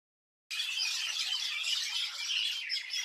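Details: Many birds chirping together in a village, a dense continuous chorus of high twittering and squawking notes with no pauses, starting abruptly after half a second of silence.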